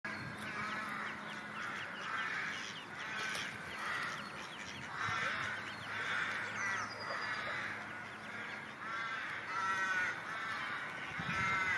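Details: A mother mallard with feeding ducklings on the shore, other ducks on the water nearby: a steady stream of nasal, harmonic duck calls and soft chattering overlapping throughout, with a few thin higher peeps, over a low hum.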